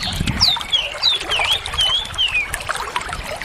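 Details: Greater green leafbird delivering a series of clear, looping whistles that swoop down and up in smooth waves, followed by softer chattering notes, with faint thumping at the start.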